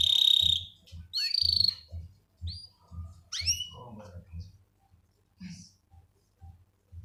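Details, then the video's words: Male canary calling a female while ready to mate: a few separate high notes, a long buzzy tone, and sharp upswept whistles, over a steady low rhythmic thumping in the background. "SUARA KENARI JANTAN NGEREK MEMANGGIL BETINA SIAP CUCUS"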